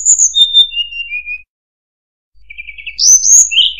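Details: Murai buluh (tledekan) delivers a falling series of thin whistles, goes quiet for about a second, then returns with a low whistle and a sharp rising high note.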